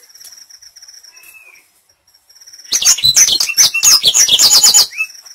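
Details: Black-throated canary song played as a training lure to bring a bird into full song: a loud, fast burst of high twittering, trilled notes and sweeping whistles lasting about two seconds after a quiet stretch with a faint steady tone.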